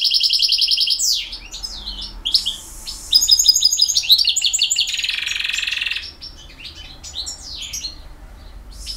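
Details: European goldfinch, the bird called jilguero, singing in the campero style: fast, tinkling high twitters and trills, buzzy chattering bursts and sliding whistled notes, with a brief louder buzzy phrase near the middle.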